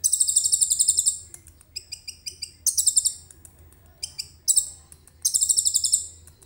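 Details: Common iora singing, its song filled with imitated cililin phrases, recorded on a phone: bursts of rapid, buzzy high trills alternate with short, sharp repeated chirps and brief pauses.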